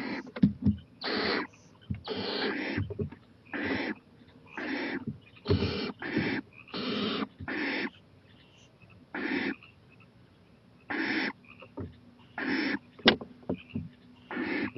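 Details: Owl at 11:26 pm on 23 April 2018, growing bolder on a porch and eyeing a playground, gives a rapid run of rough, breathy hissing screeches, some doubled, with brief knocks and clicks among them.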